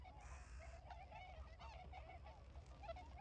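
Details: On 3 November 2022, in rice fields around Ochigata, Hakui, Japan, a flock of newly arrived migrant tundra swans calls energetically while flying around, giving soft, overlapping goose-like hoots and bugles over a steady low rumble.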